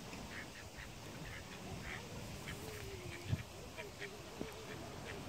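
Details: Call ducks in flight give short, bright quacks in a quick irregular series over steady background noise, with a lower drawn-out tone possibly from a person's voice partway through.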